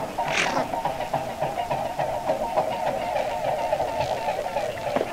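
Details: Mute swans in flight above European ponds, recorded in autumn and spring. A continuous throbbing pulse of about three and a half beats a second, with a brief higher sound near the start.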